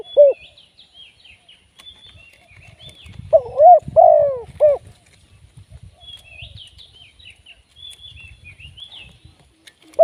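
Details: Spotted dove, a live decoy for trapping. A single mellow three-note coo phrase sounds midway. Small birds chirp and twitter in the background throughout, with soft low rustling and fragments of coos at both edges.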